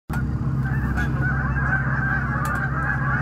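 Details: A flock of Canada geese (Branta canadensis) on the St-Maurice River, 21 September 2019, giving a dense, continuous chorus of overlapping nasal honks at a rapid, uneven pace over a low rumble.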